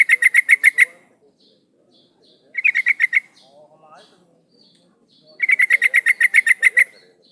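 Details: Female sooty-headed bulbul calling a male, a call used to lure males: three bursts of fast chattering notes, the last a long run of about fourteen, with faint whistles and quiet background.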